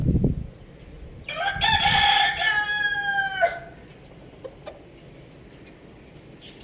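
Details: Rooster and hen on a roof; the rooster gives a single loud harmonic crow lasting about two seconds, level then sliding down, framed by thumps and a few quiet clucks.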